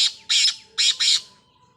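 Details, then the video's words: Calling black francolin: four loud grating bursts, the first two and last two set as pairs, with a steady faint tone running underneath. "Black Francolin Calling"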